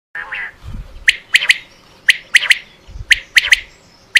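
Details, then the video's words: Quail used in quail hunting, giving loud clipped triple-note calls, three sharp high notes in quick succession, repeated about once a second. A rougher, lower chirping sound opens the recording. "Batair new vioce in shikar"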